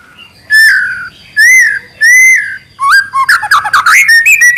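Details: Spotted-plumage young white-rumped shama sings, giving three loud drawn-out mellow whistles, then a fast jumble of rising and falling whistled and chattering notes.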